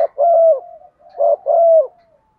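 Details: Decoy spotted dove calling to lure wild doves: two loud, low cooing phrases, each a short coo followed by a long, slightly falling coo with a soft trailing tail.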